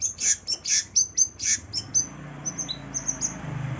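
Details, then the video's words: Cendet, the long-tailed shrike, in a lure recording to get a reluctant bird singing: loud high chirps about twice per second, fading into softer scattered notes over a low, steady hum. "PANCINGAN cendet males bunyi"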